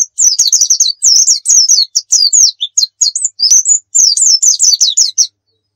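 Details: White-eye song, a training recording of the rapid 'nembak' style: fast runs of sharp, high, down-slurred whistled notes, about twenty in five seconds, with brief twittering breaks, clean and loud.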